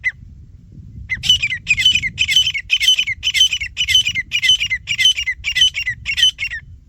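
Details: Grey francolin, a male and female fighting: after a second of low background rumble, a rapid series of about ten harsh, squawking, high notes follows at roughly two per second, steady in pitch and loudness until the end.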